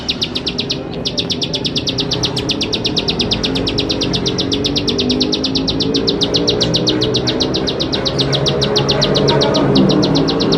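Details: Ciblek sawah, Bar-winged prinia, singing a lure song for teaching young birds: one long unbroken run of fast, evenly spaced high clicking notes that grows slightly louder, with a constant low rumble behind.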